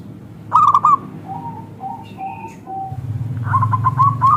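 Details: Local zebra dove, thick crystal voice, used as a lure for other zebra doves: one clipped cooing phrase, a series of soft lower coos, a faint high whistle, then rapid coos over a rising low rumble.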